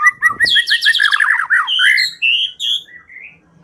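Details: White-rumped shama song used as a lure to make the bird sing: varied rapid phrases of whistles and chattering trills, short notes repeated quickly, then clear rising and falling whistled notes.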